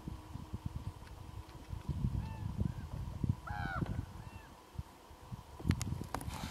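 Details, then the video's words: Common ravens calling in the background while a brown bear eats salmon at a hide at Kuikko, Finland, near the Russian border: a few brief, hoarse croaks over steady low wind rumble and outdoor noise, with faint thumps. "kaldende ravne"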